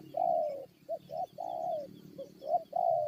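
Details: Decoy spotted dove facing wild forest birds: long hollow coos broken by short clipped notes, repeated in a loose cycle over a low rumble and a thin steady tone.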